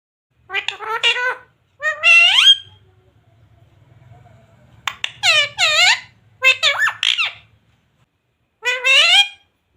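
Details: Pet parrot talking indoors, said to say mummy and jay shree ram: bursts of harmonic, voice-like syllables, some rising sharply, separated by pauses, with a faint low hum in the middle.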